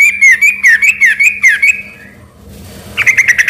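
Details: Sooty-headed bulbul in full, vigorous song, its voice mistaken by local people for a white-rumped shama: a fast run of clear chirping notes near one pitch for about two seconds, a short pause, then a bright burst of rapid notes, with a steady low hum.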